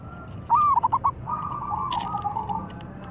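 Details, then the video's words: Local zebra dove in a calling exchange with a rival; a short burst of pulsed stuttering coo notes, then a quieter drawn-out level coo. "PERKUTUT LOKAL GACOR MEMANGGIL SEKALI DENGAR LAWAN LANGSUNG NYAUT"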